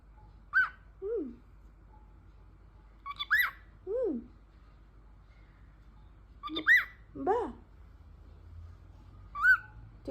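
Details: Pet talking parrot giving four spaced bursts of sound, each a short high whistled note followed by a lower sliding syllable dropping in pitch, repeated about every three seconds over quiet low room hum.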